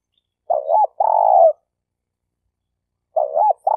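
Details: Decoy spotted dove used to lure birds for trapping in Malaysia, giving a hooked, wavering coo followed by a long buzzy purr that falls away. The phrase begins again after about two seconds of silence.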